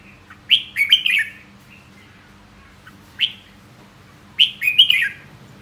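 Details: Red-whiskered bulbul delivering clear whistled song phrases, a three-note warbling burst, a single rising note, then another liquid multi-note phrase.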